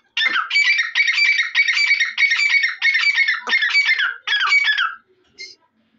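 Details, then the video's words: Loud calling of a grey francolin, the Dakhni or Irani teetar: about seven harsh ringing phrases, each roughly half a second long, repeated in a steady fast series. A brief short note follows after a pause. "Dakhni Teeter ki Awaz | Irani Teeter Voice| ایرانی تیتر کی آواز"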